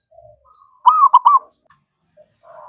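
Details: Zebra dove song meant as a lure for other birds: a sudden loud run of three rolling coo notes amid faint soft hums, ending with a low murmur.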